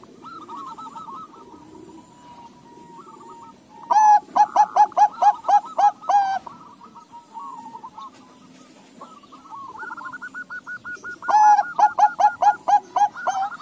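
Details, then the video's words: Zebra dove, a Bangkok and local crossbreed, singing: soft murmured cooing gives way to two loud bursts of rapid, evenly pulsed hooting notes, about a dozen each, with a faint background hum. "Perkutut BANGKOK LOKAL CROSING NYAHUT SEMUA"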